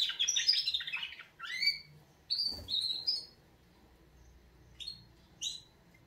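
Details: Canaries in a wake-up song: an opening flurry of twittering, then a few separate whistled notes spaced apart, with quiet stretches between them.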